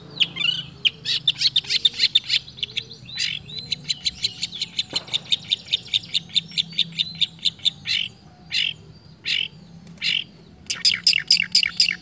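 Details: Unbroken mimicking song of a long-tailed shrike: long runs of rapid, evenly spaced sharp chips and buzzy notes, broken by a few louder harsh bursts, delivered steadily throughout.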